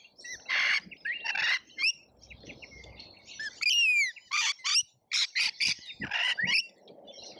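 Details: Lorikeets crowding a feeder in Australia, seen on a feeder camera: loud screechy bursts alternating with rapid chirps and one sharp descending squeal series, with short pauses between.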